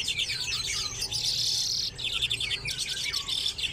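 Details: Common redpolls in an aviary shared with chaffinches: quick dry chattering notes in short runs, a continuous buzzy rasping stretch in the middle, then more rapid chatter from several birds.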